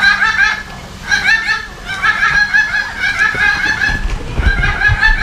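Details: A friendly Salmon-crested Cockatoo at Jurong Bird Park, Singapore, on 14 February, gives harsh, chuckling, laugh-like bursts about once a second over low background rumble and faint human voices.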